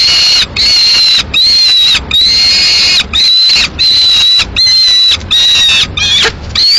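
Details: Peregrine falcon nestling, Madrid, 22 May 2016, begging for the swift the female took from the male: a rapid series of about eight loud, whining, high screeches, each steady in pitch before a brief fall.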